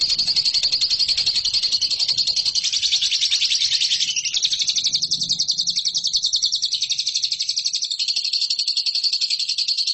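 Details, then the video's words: Lovebird song used to train competition birds: a dense, continuous high trill of rapid scratchy notes sustained throughout, with slight shifts in pitch along the way. "MASTERAN LOVEBIRD RAHASIA BURUNG JUARA"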